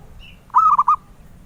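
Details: Single zebra dove phrase, the bird sought by collectors: a soft, quick cooing trill of three or four rolled notes lasting under half a second, preceded by a faint thin chirp.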